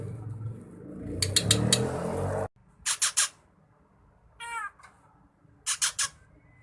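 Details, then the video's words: Drongo singing actively with varied fill-in phrases, recorded for training songbirds: a rushing noisy burst with rasps cuts off abruptly, followed by three harsh scratchy notes, a ringing nasal call rich in overtones, and another rasping triplet. "Burung saeran gunting / sri gunting gacor full isian cocok buat masteran"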